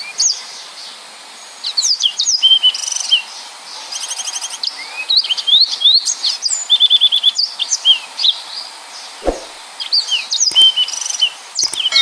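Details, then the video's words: Rapid, continuous 'nembak' song of a yellow-fronted canary, presented as a tutor recording for other songbirds. It mixes high twittering sweeps, steady whistled notes and fast buzzy rattles, with a brief low thump near the middle. "Burung Mozambik Gacor||Suara Nembak Full Rapet"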